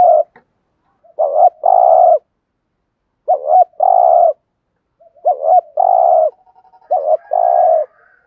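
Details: Caged spotted dove kept as a decoy to lure wild doves, giving a driving coo: phrases of a short rising note followed by a long steady low coo, repeated about every two seconds in a quiet setting.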